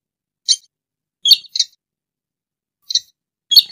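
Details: Rail (sintar, or tikusan) calling as a trapping lure: short bright chirps, singly and in a quick pair, scattered over a few seconds against silence.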